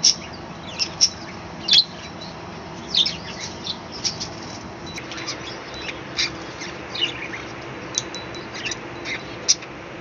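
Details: Caged budgerigar colony on a home balcony in the morning, with a steady scatter of short, high, squeaky chirps and twitters from several birds over a faint background hiss.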